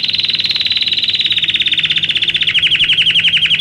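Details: Belgian canary song used to teach canaries: a very fast, buzzy rolling trill that slowly drops in pitch, then changes to slightly slower, crisper falling notes.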